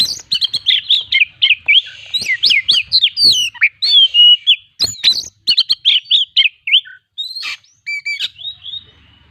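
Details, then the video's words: Oriental magpie-robin singing with imitated fill-ins and its characteristic bursts, used as a lure for other birds: fast series of loud slurred whistles, roughly four notes a second, irregular, with brief pauses and sharp clicks. "burung Kacer gacor full isian"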